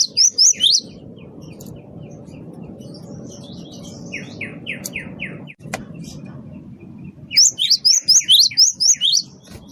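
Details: Great tit of the wingko type, singing actively as a lure: quick bursts of high, bright chirps at the start and end, a series of descending slurred notes in the middle, and a steady low rumble throughout.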